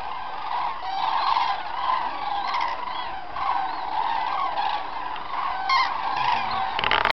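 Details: A crane flock in the Hortobágy Puszta, Hungary, recorded at Halastó on 9 October 2008. Steady bugling and honking calls come in overlapping waves, swelling and fading with no pause, and a brief clatter sounds at the end.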